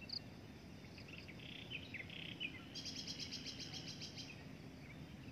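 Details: Adult breeding drongo uttering scratchy chirps and slurred notes, then a stretch of harsh, buzzy rasping bursts, against a low constant hum.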